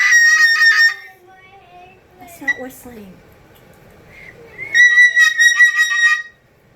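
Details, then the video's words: Pet cockatoo at home giving its taught whistle, called the most annoying sound in the world: a loud, harsh, wavering whistle, a quiet stretch with faint human voices, then another strong warbling burst. "Cockatoo The Most Annoying Sound In The World"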